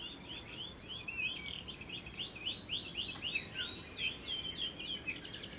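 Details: Long ngekek trill of a lovebird, a lure to set other lovebirds singing: quick downslurred chattering notes, about four per second, repeated steadily over a soft hiss.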